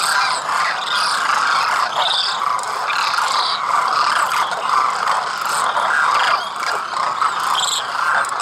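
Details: A wintering flock of migratory demoiselle cranes (Anthropoides virgo) in rural Khichan village, Rajasthan, India, gives a steady, dense chorus of rolling, croaking calls that overlap into a continuous murmur.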